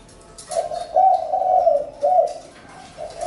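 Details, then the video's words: Spotted dove giving a soft, mellow coo, a drawn-out hollow note followed by a shorter second coo, then a faint trailing note. "Chim cu gáy-Đam mê tiếng chim cu"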